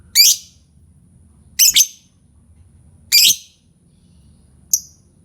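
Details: Lovebird chirps used to lure other lovebirds into singing: four shrill high-pitched notes spaced irregularly about a second and a half apart, one doubled and the last short and faint, with soft low hum beneath.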